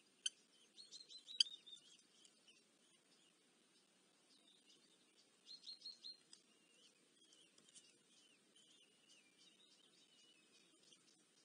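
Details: Eurasian hobby (Falco subbuteo) chicks in Dorset, UK, on 13 July 2024, give thin, high, squeaky chittering begging calls in two short bursts while being fed, with quiet rustling in between.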